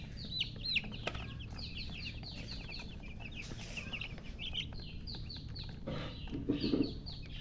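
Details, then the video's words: A group of chicks wanting water keeps up rapid high peeps, short downward slurs packed closely together, with a knock and a brief rustle near the end and a low background hum. "Murgi chicks Chirping sounds with thirst for drink water"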